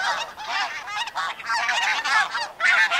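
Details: Snow Goose flock calling close overhead in flight: dense, overlapping nasal honks, each bending up then down, tumbling over one another almost without pause.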